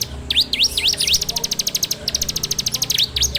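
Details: Ciblek, the bar-winged prinia, singing in a phone recording meant as a lure for kept songbirds: a few swooping V-shaped whistles, then a rapid even train of short high notes, ending with more swooping whistles.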